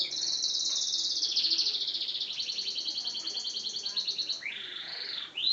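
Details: Singing yellow canary: a long, rapid, rolling high trill that holds steady and then rises and falls before ending in one swooping note, over quiet background hiss.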